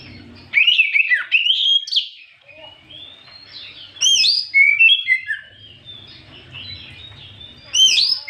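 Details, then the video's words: Oriental magpie-robin song in the afternoon, meant to provoke other birds into answering. Varied whistled phrases: an opening rising sweep, later a high flourish and falling clear notes, and a final upward burst. "Pancingan Terjitu burung kacer di sore hari"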